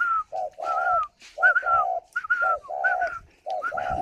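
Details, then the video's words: Caged spotted dove cooing while on its eggs in Ba Vi, Hanoi: continuous sequence of low, buzzy-edged coos interleaved with higher whistled notes, dense and repetitive. "chim cu gáy hay vừa ấp vừa gù"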